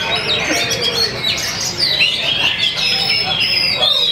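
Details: Caged Oriental magpie-robin singing steadily from a hanging pole, pouring out its varied repertoire in a rush of quick, high whistled phrases, rising slurs and chattering notes. Many other birds sing alongside, and voices talk in the background.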